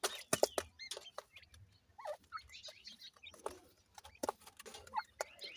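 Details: ['Ring-necked pheasant chicks uttering a few high curved peeps and short trills among loud clicking taps and rustling.']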